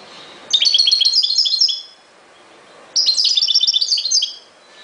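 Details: Two fast twittering phrases from a European goldfinch in 2021, each about a second long with bright, high, jingling notes run closely together, separated by a short pause; faint steady hiss behind.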